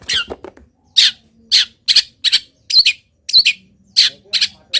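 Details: Local long-tailed shrike singing a varied mimicry song while moulting: rapid harsh chirps and buzzy notes in clusters of two or three, irregularly spaced, with a faint hum in places.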